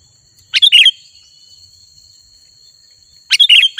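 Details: Sooty-headed bulbul in lively, persistent song: two short bubbly phrases of rapid chirping notes, the first near the start and the second near the end, separated by quiet with a steady faint high tone in the background.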